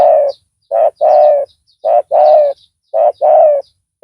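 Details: Decoy spotted dove with a strong voice, used to lure a rival, repeating rich low coos in short-then-long pairs roughly every second, with a few faint high chirps in the background.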